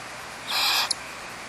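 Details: ['Barn owls at a nest cavity holding four or five chicks in an old eucalyptus, Starr Ranch Sanctuary, Trabuco Canyon, California. A single drawn-out rasping hiss lasting under half a second, ending with a brief sharp click.']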